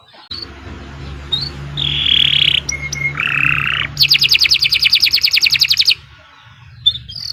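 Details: Kenari Nusantara canary in long continuous song meant for tutoring contest birds: varied phrases of sustained buzzy trills and short whistles, then a fast rolling trill of even repeated notes, with a low background hum.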